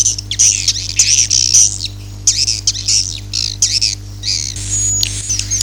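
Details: Akau ngaji swiftlet sound with rapid high squeaky chirps and buzzy twitters in short bursts, pausing briefly, then a clear thin whistle, all over a constant low hum.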